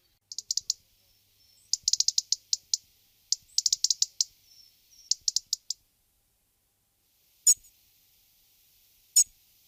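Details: A European robin (Erithacus rubecula), recorded in Guadalajara, Spain, in February 2010, sings short, high phrases of quick trilled and tinkling notes with thin whistles between. Two sharp clicks follow near the end.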